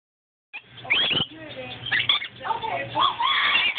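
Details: Male pet rainbow lorikeet (Trichoglossus moluccanus) mimicking speech, saying "here kitty kitty!" in raspy, voice-like chatter over about three seconds, then a purr; a double yellow-headed amazon may say "Polly want a cracker?" in the background.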